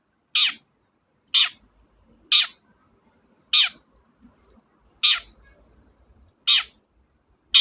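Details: Harsh grating screeches of a long-tailed shrike repeated roughly every second, seven short rasping bursts each falling in pitch, with faint background murmur between them; meant to provoke hesitant shrikes to sing.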